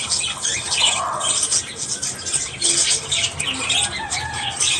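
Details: Australian budgies in the morning giving a busy, continuous warble of high chirps and squeaks, several birds calling over one another.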